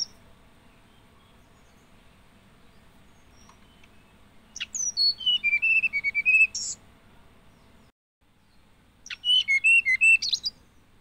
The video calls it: Hill Blue Flycatcher Bird Song